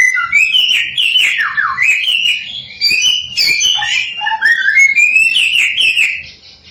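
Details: Lure song of a samyong meant to spark other samyong: flowing, rising and falling whistled phrases with quick trills and occasional lower dips, continuous without pause.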